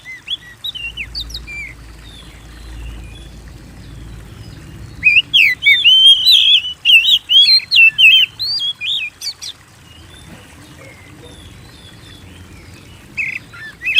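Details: Actively singing Oriental magpie-robin, or kacer, used as a lure to set kept birds singing: scattered whistles at first, then a fast run of loud sweeping whistled notes mid-clip, trailing off to a few quiet notes.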